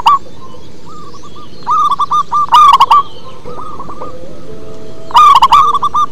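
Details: Deep-voiced local zebra dove in song: quick strings of staccato cooing notes, loud rolling bursts near the middle and end, with quieter coos between them over faint background noise.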